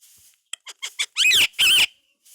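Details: Indian ringneck parakeet, a talking pet parrot, gives a few quick clicks, then two loud, wavering, harmonic utterances in a row, each about a quarter second long, in a quiet indoor setting.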